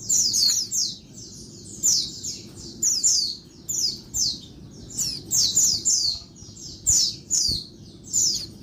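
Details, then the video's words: Female Oriental white-eye calling noisily at midday to provoke males into sound: dense runs of thin, high, descending squeaks in rapid clusters, with occasional low knocks. "Bird Pleci Betina Suara Ribut bikin Bird Jantan Gacor (siang)"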